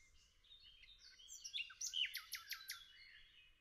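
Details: Nightingale song in woodland, fairly quiet: a tangled mix of thin whistles and chirps, then a short run of sharp, clicking high notes about half a second apart.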